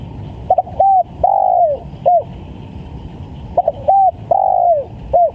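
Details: Vigorous spotted dove lure call: two clear phrases, each with quick stammered coos, a drawn-out coo sliding downward, then a short clipped last note. Faint low rumble behind.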